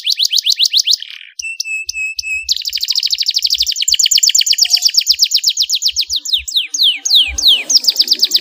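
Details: Canary song played to stimulate other canaries to sing, with fast pulsed trills, a brief run of clear flat whistles, a long rolling rattle, then descending swept notes, with faint low taps in the background.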